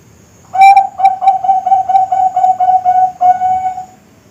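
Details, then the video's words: Young Bangkok zebra dove (perkutut Bangkok), kept as a model for training, contests and breeding: a soft low cooing series of about ten short evenly spaced notes, ending in a longer drawn-out coo. "Suara Masteran Perkutut Bangkok"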